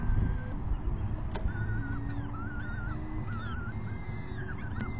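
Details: Evening feeding of peregrine falcon chicks, 6 PM, May 14, 2021: wavering, slightly warbled begging whines repeat through the clip, with a constant deep rumble underneath.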